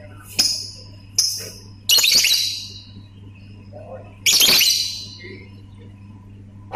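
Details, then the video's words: Lovebird calling ngetik and ngekek: two sharp clicks, then long harsh, hissing screech bursts of nearly a second each, with quiet gaps between. "BURUNG 🐦LOVBIRD SUARA NGETIK TAMBAH NGEKEK"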